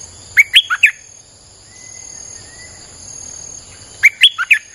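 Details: Streak-eared bulbul song used as a wild-bird lure: two phrases of four to five fast, sharp chirps about three and a half seconds apart, with a soft whistle and steady high insect hum between.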